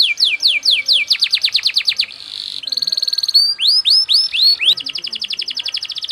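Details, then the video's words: Canary pouring out a fast cengkok song: quick runs of sweeping notes, a brief buzzy note, a very rapid trill, rising whistles, then another fast repeated trill. "MASTERAN KENARI PALING DICARI‼️irama lagu cengkok speed rapat"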